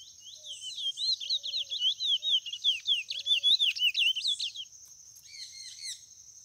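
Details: Seed finch, white mutation, delivering a rapid rolling warble of clear whistled up-and-down slurs for about four and a half seconds, then a pause and a few softer, lower trailing notes.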